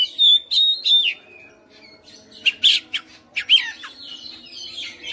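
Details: Captive white-rumped shama at home, singing loudly: three clear whistled phrases at the start, then harsh rasping bursts and thin scratchy warbles.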